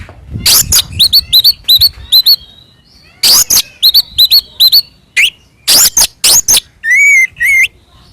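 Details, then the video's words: An Oriental magpie-robin in loud fighting song, intended to provoke other magpie-robins, repeats bouts of harsh broadband bursts and crisp hooked whistles, ending with a wavering, warbled whistle and a sharp rising note. "SUARA BURUNG kacer gacor NGEPLONG TARUNG"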